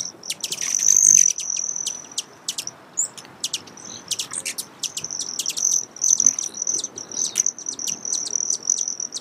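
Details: Broad-tailed hummingbird: dense, rapid high chips and clicks over an intermittent thin, shrill trill throughout.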